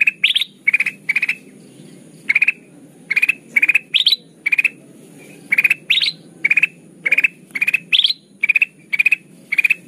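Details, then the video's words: Golden bulbul (kutilang emas) singing lively and chatty for a trapping lure. Quick three-note chirp clusters repeat in an even stream, a brief pause near the start, some clusters sliding higher, with steady low background noise. "suara burung kutilang emas pikat terbaru 2023 || Suara pikat kutilang emas gacor"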